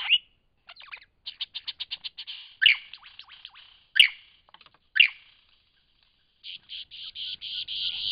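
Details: Lyrebird vocalising in Cape Liptrap Coastal Park: rapid stuttering trills and buzzy chatter broken by three loud, sharp ringing notes, followed by a fast series of harsh rasping pulses.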